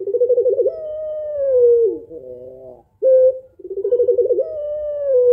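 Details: Cooing of a female puter pelung dove meant to prompt an idle male to sing: rolling pulsed coos sliding into long level tones that sag downward, a short clear note in between, repeated twice.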